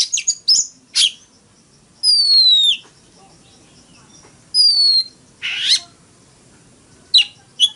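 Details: Oriental magpie-robin, caged, in fighting song: long drawn-out descending whistles alternate with a harsh rasping note and scattered short chirps, separated by silent gaps.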